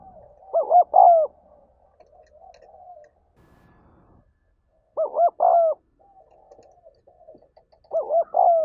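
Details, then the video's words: Spotted dove giving an urging call, played to stir other doves, with three low cooing phrases about four seconds apart. Each phrase is a short note followed by a longer, slightly falling coo. Faint background murmur lies between the phrases. "Tiếng Chim Cu Gáy Thúc Gáy Gọi"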